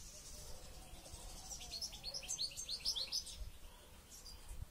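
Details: One European goldfinch in training for a local goldfinch championship sings a fast, tinkling series of high, sharp chirps and twitters packed closely together mid-recording, with soft background hum before and after.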